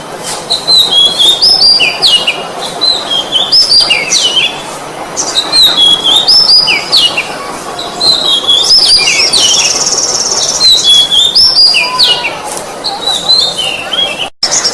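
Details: Gacor oriental magpie-robin singing for a masteran recording meant to train other songbirds: a continuous stream of varied, sweet whistled phrases and sharp chirps, mostly high, with a short dip in intensity midway and a sudden cut at the end.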